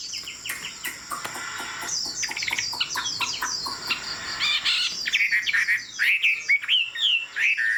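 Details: Tame hwamei singing high-perch style. Dense, scratchy chattering and clicks blur together over a noisy background, then give way to clearer, sweet looping whistles near the end.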